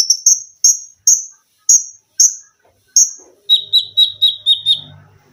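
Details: Olive-backed sunbird (konin) training song for cage birds: a series of loud, very high, sharp descending whistled notes spaced about half a second apart, then a quicker run of slightly lower chipping notes, with a faint low hum.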